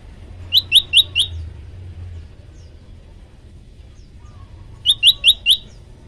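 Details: Olive-backed tailorbird, prenjak lumut, in a varied training recording: a quick burst of four high, sharp chirps, a long pause of several seconds, then another matching four-note burst.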